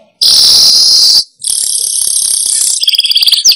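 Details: Weaver lure for attracting wild birds: long, loud hissing sizzles, broken by a short pause, turning into quick buzzy chatter at the end.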